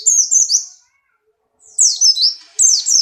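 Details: Buxton's white-eye in strong breeding condition, hopping lively, sings high, sweet twittering phrases of down-slurred whistled notes, a burst, a short silence, then two more energetic bursts.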